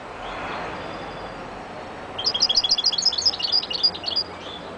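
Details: European goldfinch delivering a rapid two-second run of bright, high twittering notes, quick and slightly uneven, rising out of a quiet background with a soft low hiss.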